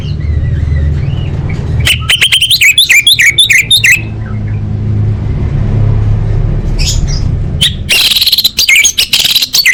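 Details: Orange-headed thrush pouring out a fast two-second burst of varied whistled and warbled notes, preceded by a soft wavering whistle, with another dense, scratchy song burst near the end; steady low rumble underneath.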